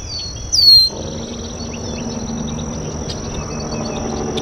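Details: Red-winged blackbird at a local water basin giving a single loud, sharp, descending whistled call, followed by faint distant chatter over a steady high insect-like whine and low rumbling background noise.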